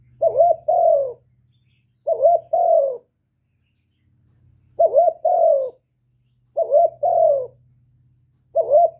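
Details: Spotted dove giving calling, urging and cooing calls used to stimulate other doves: five soft, hollow multi-note coos, each a quick rising-falling phrase repeated about every two seconds, over a faint low hum.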